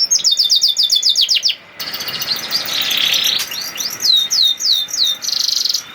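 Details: Canary 'nembak' song used as a lure for lazy canaries: a quick trill of repeated downslurred notes, a noisy buzzy passage, then separate whistled upsweeps and a closing rapid high trill.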